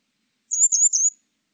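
A grey wagtail gives three quick, very high, thin notes run together, sharp and metallic, lasting about half a second against a silent background.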